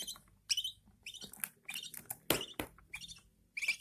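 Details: Mother budgie feeding her newborn chicks indoors; sharp, wheezy chirps come in uneven bursts, with one loud rasping cry near the middle and a faint low hum beneath.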